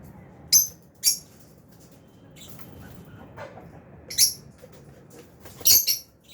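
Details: Albino and Fisher's lovebirds in an aviary during feeding; clipped, high squeaks in pairs and singles spread over several seconds, with faint softer calls between.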